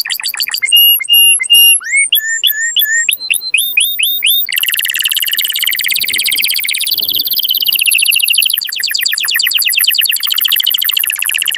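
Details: Loud canary song used to prompt mating: clear upslurred whistled notes repeated in short series, then a long dense buzzing trill that shifts to a higher rattling roll.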